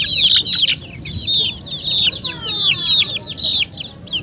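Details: Chickens giving a dense chorus of high, thin, downslurred peeps, many overlapping, over a steady low background hum.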